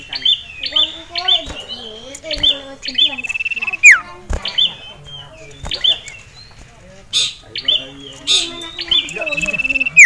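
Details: Male sirtu in a cage, roused by a rival and a female, repeats short bright whistles with buzzy trills and sudden downward swoops amid a cluttered chatter of other sounds.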